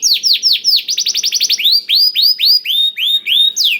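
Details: Canary tutored with blackthroat song, used as a lure to get canaries singing quickly. Rapid series of bright downward-sweeping whistles, then a fast trill of repeated notes, then rising-falling arched notes about four per second. Clean recording with no other sounds.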